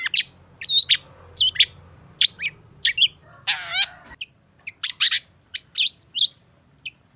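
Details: Long-tailed shrike singing excitedly to prompt a silent bird to sing: a run of sharp chips and short whistled notes, a harsh rasping burst midway, then quicker mixed chattering phrases.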